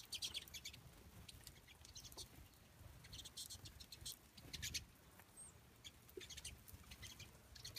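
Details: Pine siskins feeding on a balcony give quick, high, thin chips and twitters in scattered bursts, over a low background rumble and soft tapping.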